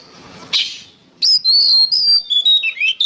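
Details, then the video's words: Oriental magpie-robin song meant for training songbirds: a harsh noisy burst, a pause, then a long clear whistled phrase of sliding, wavering notes and quick chirps, loud and high-pitched. "MASTERAN BURUNG KACER GACOR"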